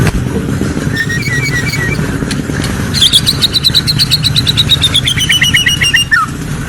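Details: Nighttime white-rumped shama: faint high notes give way to a long, rapid, evenly pulsed trill that slowly descends and ends in a sharp downward slur, over constant low rumbling background noise.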